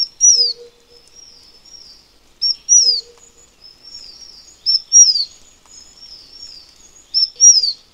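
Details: Taiwan fulvetta calling: high, thin whistled notes that slide steeply downward, each followed by a softer level trill, in phrases repeated roughly every two and a half seconds, with a faint low steady hum beneath.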